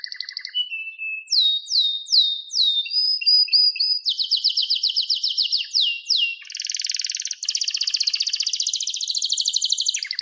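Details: Singing canary delivering a series of downward-sweeping whistles, a fast repeated chirping phrase and a long, dense, buzzy rolling trill.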